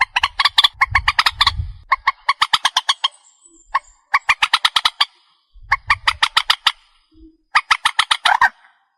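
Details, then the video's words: Purple swamphen lure call for hunting at night: long rapid series of harsh clucking notes broken by brief pauses, with a single isolated note and some low rumbling noise. "Tiếng chim trích ré mòi mới"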